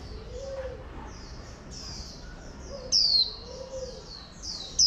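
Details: Female oriental white-eye calling to excite males: loud, sharp descending whistles near the end, between soft high twittering notes and a faint low warbled note, over a steady background hiss.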